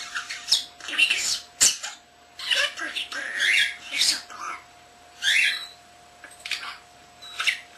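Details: Indoor pet common starling, under a year old, mimicking speech, camera beeps and other birds: a rapid run of short scratchy syllables and squawky bursts, some with rising whistled notes, spread irregularly across nearly eight seconds.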